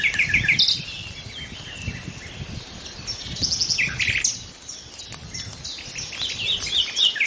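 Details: Nightingale song during a quiet spell: short bursts of rapid, repeated trilled notes at varying pitch, separated by pauses, over a busy background of other birds chirping.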